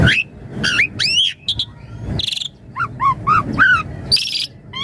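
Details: .Javan pied starling singing in a lively 'isian mompa' varied style, used as a master song and lure: rising and curling whistles mixed with harsh buzzy bursts and lower chattering notes, a busy irregular sequence.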